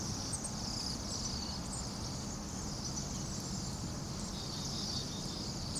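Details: Hundreds of Bohemian waxwings calling together in frigid Anchorage, minus 8 degrees Fahrenheit: a steady chorus of high, thin ringing trills with scattered brighter notes, masked below by a dense roar of urban traffic.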